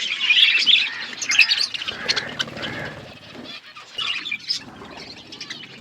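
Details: A feeding budgie flock: loud scratchy chatter and squawky chirps at first, fading into softer, scattered twitters and ticks.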